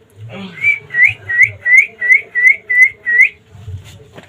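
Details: Rescued pet rose-ringed parakeet from Bangladesh mimicking human speech: a run of eight clear, upward-sweeping whistled notes, evenly spaced about three per second, with low background rumble at the start and end.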